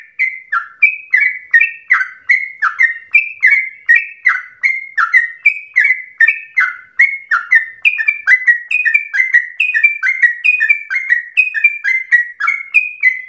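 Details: Sooty-headed bulbul singing nonstop with energy, used to prompt and train other birds. Bright, fluty notes follow in a quick chain, alternating higher and lower whistles, with brief downward slurs between them. Nothing else is heard.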